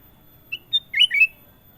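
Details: Gacor song of the kutilang emas, ruby-throated bulbul: a short whistle, a thin higher note, then a lively tumbling run of mellow, rolling whistles lasting about half a second.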